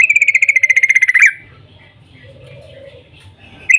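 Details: Morning 'cuk cuk' call of a yellow-vented bulbul, used to get other bulbuls singing: one fast buzzy trill of about twenty pulses that stops abruptly, then a quiet low hum and a short chirp at the end.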